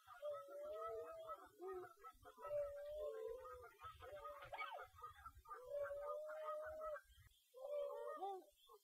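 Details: Tundra swans, a flock resting on a lake in northwestern Wisconsin during migration, giving overlapping soft, mellow hooting and whistled calls, drawn-out tones of about a second each, sometimes wavering, from many birds at once.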